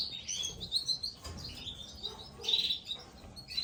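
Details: Nestling Gloster canaries calling as they are fed: shrill, high twittering notes in clustered bursts, loudest near the end, over faint background noise.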